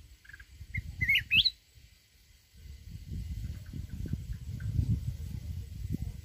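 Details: Mountain red-whiskered bulbul giving wild forest song. One quick, rising, twisting phrase of several notes sounds early, then steady low rumbling noise takes over.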